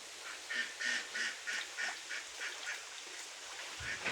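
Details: Ducks on a pond, where Mandarin ducks, mallards and Pekin ducks gather and feed, give a run of nasal, harsh quacks about three per second, steady and evenly spaced, then briefly stop before resuming over a soft background hiss.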